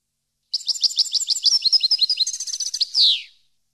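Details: European goldfinch song meant for training captive birds: a fast, high run of liquid twittering notes with a steady, trilled middle stretch, ending in a loud, harsh, downward-sweeping buzz; no other sounds.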